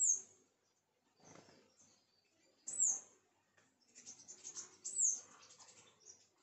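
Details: Sunbirds at a home produce occasional sharp, very high falling chips, with softer high twittering between them and a quiet background.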